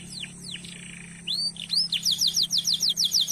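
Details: Canary song meant to coax other canaries into singing: a few high downslurred and arched whistles, then a quick series of bright rising chip notes repeated about three per second, over a faint constant low hum.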